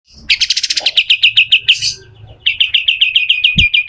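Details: Pied triller in full, energetic song, delivered in the harsh besetan kasar style used for training other birds: a fast run of sharp, repeated high chips, a brief pause, then another rapid, even series of ringing notes, with a dull thump near the end.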